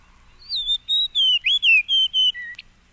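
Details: Fox sparrow (Passerella iliaca), song.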